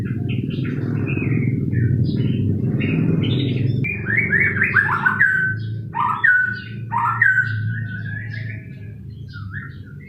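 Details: White-rumped shama singing varied whistled phrases and quick downward-sliding notes, over loud low rumbling background noise that eases after the first few seconds.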